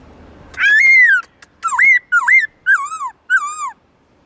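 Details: Black-throated laughingthrush forest-style song (giọng rừng), with long, loud, clear tones for training other birds. A long arched whistle is followed by four shorter, hooked, downslurring whistled notes with strong overtones.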